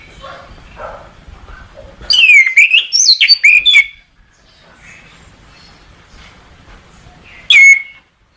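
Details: Orange-headed thrush song for bird training: after faint background sounds, a loud, rich phrase of swooping whistles and chatter lasts about two seconds, then quiet, then one more brief, sharp whistled note.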